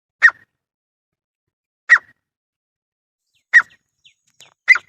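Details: Grey francolin pair calling: four short, loud, harsh notes spaced about 1.6 seconds apart, each a brief burst with energy near the middle of the range, separated by silence.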